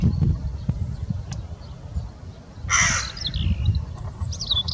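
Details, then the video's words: Crow giving a single harsh, raspy caw near the middle, set against steady low wind rumble with faint high chirps from small birds. "Crow call - Panggilan gagak / gagak suara / suara gagak hewan"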